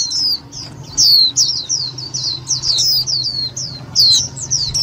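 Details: Loud, clear Indian white-eye calls used to trap and stir up other white-eyes: strings of high, sharply descending whistles, several in a row with short gaps, over a low steady hum.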